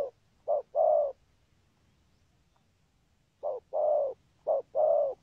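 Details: Spotted dove from Vietnam, kept for its cooing style with urging coos, gives two low hollow phrases, each a short coo followed by a longer swelling coo, separated by a two-second pause, in quiet surroundings.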